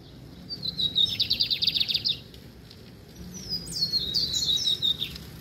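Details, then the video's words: Lined seedeater of the pardo type, a tested singer of pure bitola style, giving high twittering song: a fast run of repeated buzzy notes, a pause, then a second rising and falling whistled phrase over faint low background hum. "Bigodeiro PARDO cantando,esse é TESTADO."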